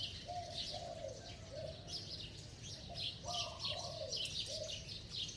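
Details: Spotted dove cooing in a ringing, bell-like voice, two quick phrases of low hollow notes, each ending in a downward slur, amid a busy chorus of high chirping birds.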